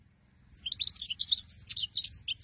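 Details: European goldfinch singing, offered as a hunting lure: a dense, fast run of bright liquid twitters, chirps and short buzzy notes tumbling together without a break, with a faint low hum beneath.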